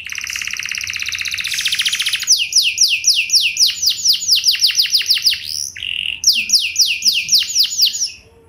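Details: Canary lure song meant to set other canaries singing: a dense buzzy roll, then long series of rapid downslurred whistled notes, a short flat whistle, and more swooping notes before fading.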